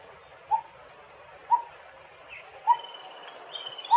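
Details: A Coppersmith barbet (Psilopogon haemacephalus) calls with low, hollow "tuk" notes, one every second or so, while fainter high chirps from other birds and a steady background hiss are heard.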